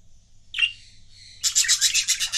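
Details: Pet budgerigar couples chirping: a single bright chirp, then a dense run of rapid, buzzy, high warbling notes pulsing in quick succession.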